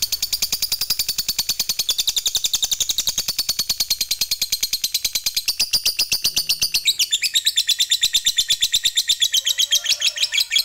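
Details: Fighter lovebird giving a long 'ngekek' chatter used to provoke other lovebirds into singing: a fast, steady stream of high, sharp chips running unbroken for over ten seconds, turning slightly shriller and more clipped near the end.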